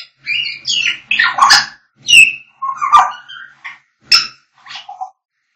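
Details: African grey parrots singing: loud, fast sequences of mixed squawks, chattering notes and bright high whistles, one after another with brief pauses, closing on a lower whistled tone.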